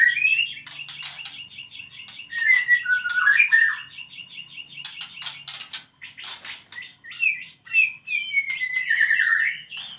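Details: White-rumped shama singing energetically, described as frenzied: a loud, varied run of rich whistles, slurred rising and falling phrases and harsh squawky notes, in bursts with short pauses, close and clear with little background.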